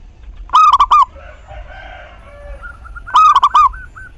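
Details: Local zebra dove lure song for coaxing other doves into singing: two loud multi-note coo phrases about two and a half seconds apart, with soft chattering and a short whistled series from other birds.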